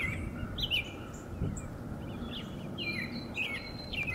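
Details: An American robin vocalizing as it interacts with a second robin, its body language either flirtatious or cautious. Short, high, slurred chirps come irregularly over a low steady rumble, and a thin sustained high tone appears near the end.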